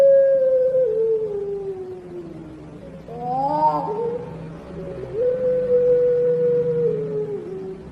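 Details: Champion contest turtle dove of the long-voiced puter pelung style, giving a long melodious flowing coo: a drawn-out steady tone that slowly falls, a brief rising wavering break, then another long sustained tone fading downward.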